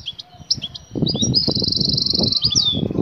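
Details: Excited female European goldfinch calling the male to mate. Thin, high twittering notes, followed by a long, sustained high buzzy trill, over steady low rustling and thumping noise.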